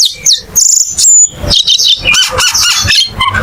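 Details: Cucak keling giving a busy, high-pitched song of whistles and chattering notes, with a long level whistle early on followed by jumbled rising and falling phrases.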